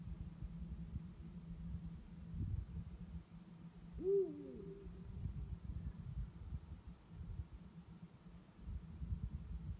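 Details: A Eurasian eagle-owl calls at night, one of two birds; a lone, brief, arched hoot in mid-recording, surrounded by long stretches of low rumbling background.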